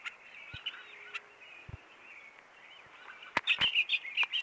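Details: Diademed tanager in the wild, in scrubby woodland: faint chirping phrases around the start, then a loud burst of bright, rapid twittered notes in the final second, with a few low thumps.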